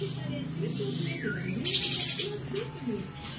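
A cotton bird gives a half-second burst of harsh, rapid, high-pitched chattering. Softer wavering low notes, possibly other birds or faint music, run underneath.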